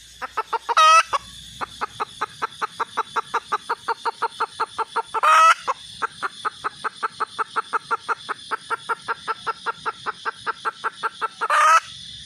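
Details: Red junglefowl hen giving steady, rhythmic clucking, about four notes a second. Three loud, harsh squawks break in at roughly five-second intervals.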